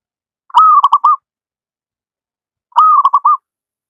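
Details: Two clean song phrases from a wild local zebra dove, a recording used to train lazy doves, about two seconds apart: each a sustained whistled note breaking into three rapid short coos, no other sounds.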